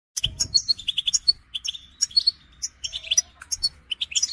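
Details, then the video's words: European goldfinches in a group chattering recording meant to stimulate males into singing and mating readiness: bright, rapid twittering with sharp high chirps and buzzy notes in quick irregular bursts, separated by brief pauses. "بتبتة الحسون تحفيز الحسون على التغريد والهيجان علاج صمت الحسون goldfinch stimulation"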